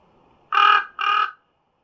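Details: Common raven; two harsh, rasping calls in quick succession, each about a quarter-second long and separated by a short pause, against an otherwise quiet background.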